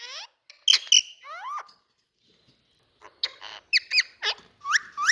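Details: Indian ringneck parakeet kept as a pet, producing loud squawks and drawn-out whining whistles, then after a pause a string of sharp, rasping chattering notes repeated several times in close succession.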